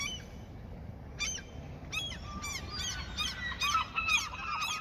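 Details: Several gulls calling while being fed where someone fishes in their territory; short, sharp, harmonic calls at irregular intervals over steady background noise, becoming busier and overlapping toward the end.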